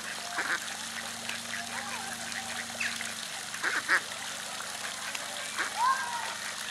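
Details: Two Mallards in a park at Sint Pancras, Holland, on 24 April 2011, giving a few short, harsh, nasal quacks spaced several seconds apart over a steady background hum.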